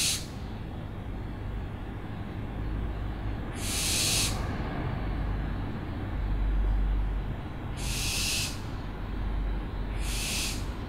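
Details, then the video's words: Series of four harsh, hissing owl screeches at irregular intervals of two to four seconds, each a brief raspy blast, over deep rumbling background noise. "OWLS SOUNDS"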